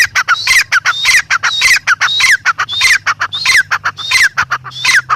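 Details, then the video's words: Grey francolin (teetar) calling loudly and without break: grating, rhythmic phrases with rising then falling whistled notes, roughly two per second, over a soft low hum. "gray francolin teetar sound"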